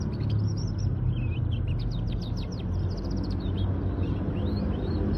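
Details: Local canary in song, delivering quick high chirps that run into fast trilled bursts and a few upward-sweeping whistles, with heavy low-pitched rumbling noise underneath throughout.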